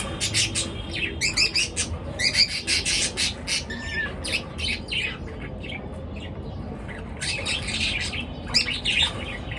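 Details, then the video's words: Pet birds chattering at dawn, their chirps waking people up: dense runs of sharp, high squawky chirps repeated in rapid pulses, pausing briefly midway before another busy burst. "পাখির কিচির মিচির ডাকে সকাল বেলার ঘুম ভাঙা"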